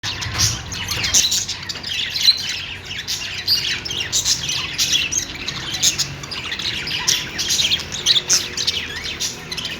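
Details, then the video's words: Budgerigars making happy chirping sounds: dense, continuous high warbling chatter with quick squawks and chirps, several birds overlapping throughout with no pauses. "cute budgies making happy sound"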